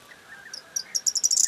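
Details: Corn bunting song recorded on 4 June 2022: a few spaced, high ticking notes that speed up into a dense, glassy jangle at the end.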